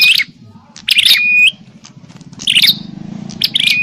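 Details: Bar-winged prinia in a noisy fighting call meant to draw in wild prinias, giving a few harsh chattering bursts each ending in a level whistled note, separated by short pauses over a low background rumble.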